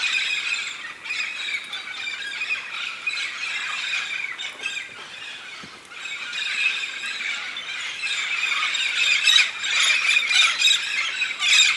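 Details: A large flock of red-spectacled parrots (Amazona pretrei), which migrate yearly to the Santa Catarina highlands of southern Brazil to eat araucaria pine nuts, squawk and squeal together in a dense, overlapping chorus of harsh, high calls without pause.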